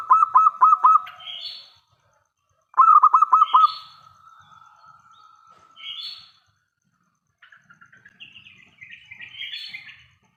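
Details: Loud local zebra dove song used as a lure to draw answers from other doves: two rolling bursts of fast pulsed coos, each followed by rising higher notes, then softer chirping from other birds near the end.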